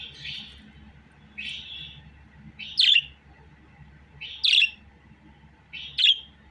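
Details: Budgerigar giving high chirped notes, first softer slurred ones, then sharp bright chirps repeated about every one and a half seconds, over a steady low hum.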